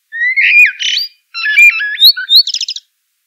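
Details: Common blackbird delivers a loud fluty phrase, a pause, then a jumbled run of whistles climbing higher and ending in a rapid high-pitched rattling twitter.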